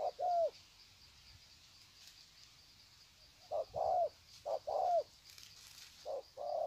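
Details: Spotted dove recorded at Sê San, Vietnam, February 2020, cooing in greeting: a soft two-part coo, a pause of several seconds, then further paired coos, short note before a drawn-out one; constant thin insect drone.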